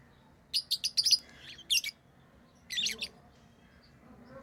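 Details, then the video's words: Pet lovebirds chattering in quick runs of shrill, clipped chirps, four or five notes in rapid succession, then another short burst after a pause, with faint background hum. "Love birds Sounds | lovebirds chirping sounds"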